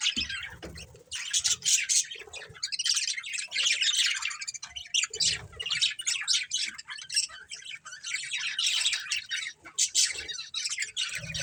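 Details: Budgerigars kept as a family of pets, chirping continuously in dense, rapid, scratchy warbles with sharp clicks and squeaky notes, several birds overlapping throughout.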